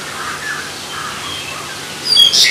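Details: Black-collared starling (Sturnus nigricollis) giving a brief burst of harsh, scratchy calls with a few high whistled notes near the end, after two seconds of quiet background.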